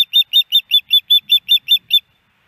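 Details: Female osprey begging for fish from her mate at a nest in Hellgate Canyon, Missoula, Montana, on 10 September 2018. Ten loud, piercing whistled chirps come in an even, rapid series, then stop.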